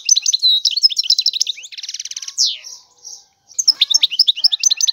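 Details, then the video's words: Twittering European goldfinch song: quick high chirps, then a buzzy rattled trill and a few drawn-out wheezy notes, followed by a brief pause and more rapid tinkling phrases. "تغريد الحسون هو اجمل صوت العصافير"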